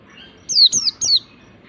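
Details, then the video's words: Short burst of 'ngalas'-style Oriental white-eye song, used to lure and train other white-eyes: three bright, high, descending whistled notes in quick succession. "pleci ngalas ini paling ampuh buat pancingan segala jenis pleci"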